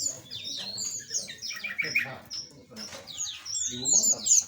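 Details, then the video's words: Small aviary birds chatter rapidly, with high sliding whistles, quick chirps and a short falling trill that overlap in a lively flock. "Relaksasi Suara Burung Asli - Jenis Burung Aviary Kecil"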